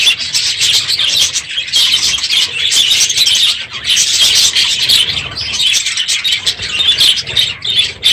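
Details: Many budgerigars in an aviary on a loud morning at the end of the breeding season, an even, bustling chorus of thin warbles and chirps with occasional brief lulls.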